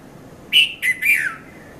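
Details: Red-vented bulbul, locally called Konda Kurulla, calling at Mount Lavinia, Sri Lanka, between 5:30 and 5:40 a.m., filmed on a Nikon Coolpix P510: three quick bubbly notes, the last sliding downward, over a quiet background.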